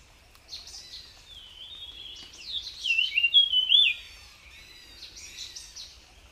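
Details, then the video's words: Jungle flycatcher, called tledekan, singing in the wild: a long, high, twittering warble that rises to loud looping whistles near the middle before trailing into softer phrases. "𝗞𝗶𝗰𝗮𝘂 𝗕𝘂𝗿𝘂𝗻𝗴 𝗧𝗹𝗲𝗱𝗲𝗸𝗮𝗻 𝗠𝗲𝗿𝗱𝘂 𝗝𝘂𝗻𝗴𝗹𝗲 𝗙𝗹𝘆𝗰𝗮𝘁𝗰𝗵𝗲𝗿 𝗔𝗹𝗮𝗺 𝗟𝗶𝗮𝗿"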